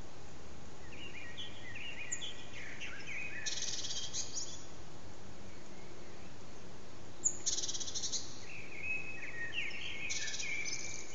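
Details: Blackbird phrases in the morning backyard: soft warbled whistles interrupted by three bursts of rapid scratchy high twittering, set over steady low background hiss.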